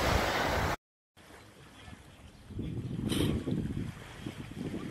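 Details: Seaside ambience at Odessa, Ukraine: a steady wash of wind and water with boat-like rumble, a brief dropout to silence near the start, and no bird calls standing out.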